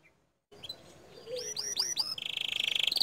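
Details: Canary song, fairly quiet, with a few swooping whistled notes followed by a rapid high trill growing louder.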